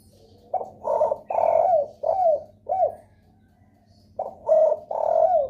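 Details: Spotted dove lure cooing meant to trigger replies from other doves: a five-note phrase of low rough coos with a long drawn note, silence, then another phrase starting.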